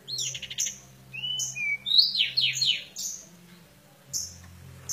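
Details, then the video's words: Oriental white-eye (decu kembang) fight song: a fast high twittering burst, a thin whistled slur, then a descending rattling trill and scattered high chips, with a low hum underneath. "Fight Decu kembang"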